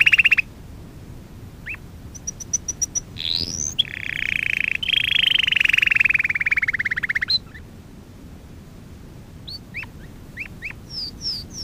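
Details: Canary song used to teach young canaries: scattered chirps and high pips, a sweeping slide, then a long descending rolling trill, followed by sparse hooked notes and soft upslurs.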